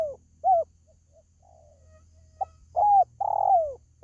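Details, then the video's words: Spotted dove calling, used to lure pet birds: one short coo, a pause with faint murmurs, then a clipped note and two fuller coos. The last coo is long and slurs smoothly downward. "SUARA PANGGILAN BURUNG TERKUKU"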